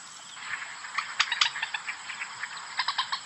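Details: White-breasted waterhen call used as a hunting lure: a run of harsh, clipped notes repeated several times per second, with a few louder accented notes, over a steady background hiss.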